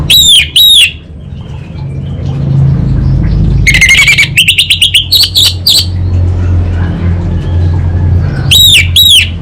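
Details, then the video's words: Orange-headed thrush (anis bata) in 'kabel konslet' song: paired loud arched whistles, then a dense buzzy chatter and rapid repeated notes, with the whistle pair returning at the end over low vehicle-like rumble. "ANIS BATA Berkicau Gacor"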